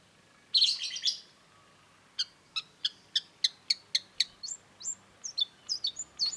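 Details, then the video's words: Long-tailed shrike singing: a short harsh burst, then a series of sharp, high clicking notes repeated about three times a second, shifting into brief upslurred whistles. "cendet gacor"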